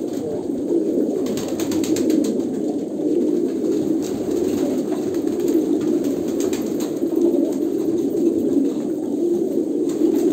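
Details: Pigeons from Kolkata, India, cooing: a steady, low, murmuring coo runs throughout and overlaps into a continuous drone, with faint clicks and rustles in the background.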